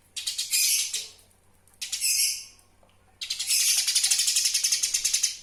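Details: Eurasian tree sparrow recorded as a master sound for training songbirds: three bursts of rapid, dry, high chirps. The last burst is the longest, a steady train of sharp notes.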